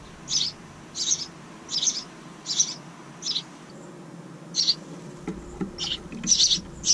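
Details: House wren nestlings, a second brood this year, in a bird house outside a kitchen window give high, hissing, buzzy begging bursts about every three-quarters of a second, then a faster, more ragged chorus, with a faint low rumble near the end.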